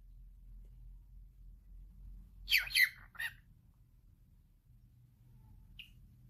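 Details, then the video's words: Male cockatiel at home, talking with one short, gravelly, word-like phrase of two or three syllables midway, then a tiny chirp, over a low background hum. "Calopsita falando. male cockatiel talking"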